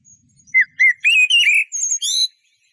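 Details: Eurasian blackbird phrase: a few short whistled notes that swell into longer warbling, wavering whistles, ending in higher squeaky twitter notes, with no other sounds.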